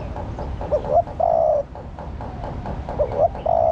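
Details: Female spotted dove cooing to rouse a male; short paired coos followed by a long sustained coo, repeated twice, with constant low noise underneath.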